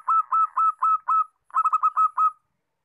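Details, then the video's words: Zebra dove song in two phrases: five evenly spaced level coos, a brief pause, then a quick stutter of notes sliding into three more steady coos, with quiet surroundings. "MACAM - MACAM BUNYI PERKUTUT"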